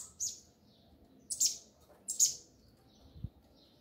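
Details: Three piercing high chirps from a Double-collared seedeater in the 'mexida do grego' style, sounding slightly less than a second apart, with a soft low thump near the end.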